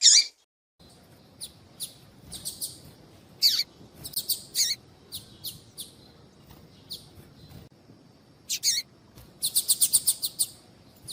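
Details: Female double-collared seedeater calling to attract males; scattered high, thin chips and short descending notes, with a fast burst of repeated ticks near the end over a low background hum.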